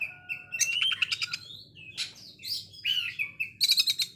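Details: Oriental magpie-robin delivering coarse, rapid-fire phrases compared to a sewing machine, used to provoke rivals: thin whistles mixed with dense high rattles and buzzy bursts, ending in a quick stuttering series of sharp notes.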